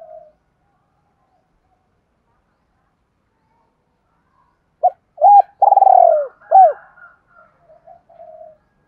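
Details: Spotted dove cooing, used to train decoy birds: several seconds of near silence, then one phrase of short coos and a rolling falling coo, followed by faint trailing notes.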